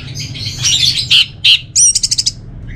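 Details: Rapid jumbled twittering gives way to two loud, harsh notes and then a quick train of six clipped, high chirps from an orange-headed thrush kept for song contests in North Bali.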